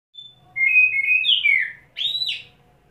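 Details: Kacer, the Oriental magpie-robin, after a wet setting, perched at one spot in ngobra display and delivering isian: a thin high whistle, then loud buzzy falling whistled phrases and a final arched rising-falling whistle.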